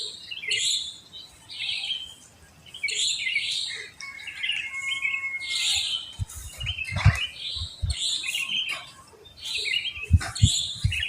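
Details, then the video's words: Wild sooty-headed bulbuls sing after dawn in a housing complex where they are plentiful. Lively chirped phrases repeat every second or two, with a brief whistled note in between. Low knocks and rumbles come in toward the end. "Pancingan Ampuh untuk Terapi Burung Kutilang Malas Bunyi"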